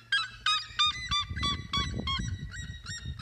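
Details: Red-legged seriema singing outdoors beside an aquaponics setup: a fast series of about ten loud, harmonic yelping notes, each sharply hooked, repeated roughly three times per second, over a low background rumble.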